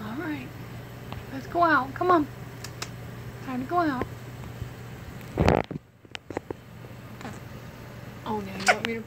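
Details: Female American crow, an education bird at a wildlife center, loose in the office and resisting return to her enclosure, makes short wavering voice-like phrases, about five over nine seconds, over a low hum; a loud thump midway.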